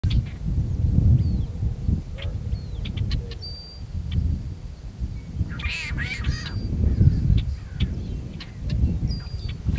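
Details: Male tricolored blackbird singing and calling near Kern National Wildlife Refuge, California, on 26 February 2003: a harsh, nasal, snarling song burst midway, scattered short chips and thin whistles from other birds, over heavy low wind rumble.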